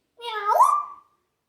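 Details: Pet African grey parrot showing off its imitations, which include snoring, coughing, yelling, laughing, dog, cat, horse and duck sounds. Heard here is one drawn-out, meow-like harmonic cry that bends upward, then fades in a thin tail, recorded indoors.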